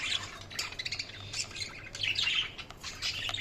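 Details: Continuous budgerigar chatter: bright, scratchy chirps and warbled squeaks tumble over one another, with a faint low hum underneath.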